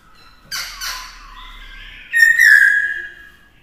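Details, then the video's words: Kept black-throated laughingthrush in song training; two harsh, scratchy bursts, a quiet gap, then a strong ringing whistle that slowly slides downward. "Luyện Khướu hót nhiều giọng hay - Luyện khướu bổi hót hay - Kích khướu căng lửa hót múa"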